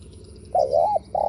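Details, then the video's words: Spotted dove cooing, played as a lure to provoke other doves: a short wavering coo followed by a long steady note, with faint background chirps. "Chim cu gáy gù mở lên kích bổi cực hay"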